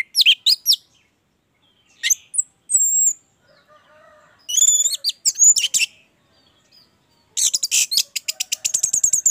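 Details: Lively orange-headed thrush song played to coax other thrushes into song: scattered high whistled phrases and quick chips with pauses, building to a fast, rattling sequence of very high repeated notes.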